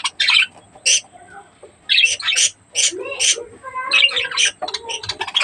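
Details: Budgerigars during breeding give sharp, buzzy chirps and short warbling squawks in scattered bursts, with softer lower-pitched chatter between them.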